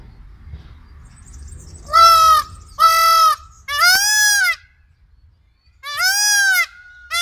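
A peacock gives loud, nasal, wailing cries, four in about five seconds, each bending upward then falling, with a faint background hum.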